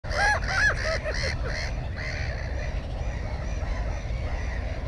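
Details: Black-headed gull at its nest with one egg and one chick, filmed on a GoPro 4. Four or five harsh, nasal calls come in quick succession over the first two seconds, followed by steady rumbling wind-like background noise.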